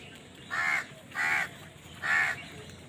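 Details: Crows squabbling over food: three even, hoarse caws in a steady rhythm, each about a quarter second long, over a faint background hiss.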